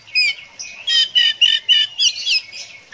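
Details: Oriental magpie-robin in konslet ngeplay song, meant to encourage other birds to sing: a run of short, bright, buzzy whistled notes given in quick succession, each lasting a fraction of a second, fairly clean background.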